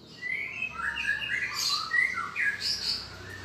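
A lively, unbroken run of varied whistles and sharp chirps from a Greater Green Leafbird, jumping between mid and high pitches with rapid, mimic-like phrases.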